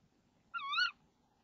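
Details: Single rising-and-falling, harmonic call from a female tawny owl in a nest box, 05:28 on 26 March 2014, shortly before her mate arrives with a frog. Quiet background.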